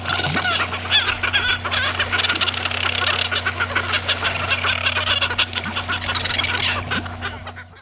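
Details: Cape petrels feeding on krill at the sea surface and squabbling aggressively among themselves: harsh, rapid cackling chatter, several birds overlapping in a continuous stream, over a steady low engine-like hum.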